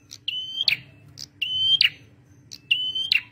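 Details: Singing male red prenjak, a prinia kept for luring and training birds: high chips followed by a steady whistled note breaking into a harsh buzz, three phrases about 1.2 seconds apart, with a low hum underneath.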